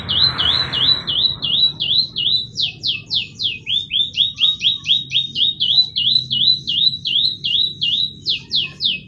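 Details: Canary song intended to get other canaries singing: long runs of rhythmic hooked whistled notes, several per second, broken by bursts of steep falling notes, with a brief soft rush of noise at the start.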